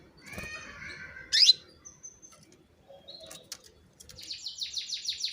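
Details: Female canary calling to stimulate male canaries into song: a brief twittering phrase, then a loud sharp rising sweep, scattered thin chips, and finally a fast series of high descending buzzy notes repeated about five times per second.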